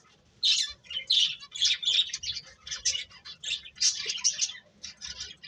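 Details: After a brief silence, birds start chirping in repeated high tweets and short bright phrases, with bursts roughly every half second.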